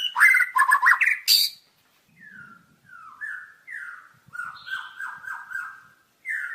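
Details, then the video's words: White-rumped shama singing: an opening burst of loud, rich whistled and scratchy notes, then a pause, followed by a series of short, down-slurred whistles and a closing whistled phrase. "Masteran Suara Burung Murai Batu"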